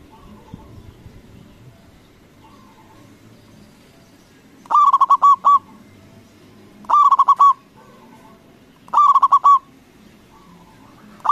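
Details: Loud local zebra dove used as a lure for rivals: four bursts of fast, throaty cooing notes about two seconds apart, with quieter answering coos in the background.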